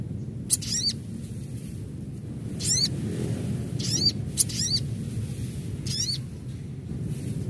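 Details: Adult crimson sunbird calling in a natural setting: short, rapid buzzy bursts of zigzagging high notes, five bursts spread over several seconds, over a steady low rumble of background noise.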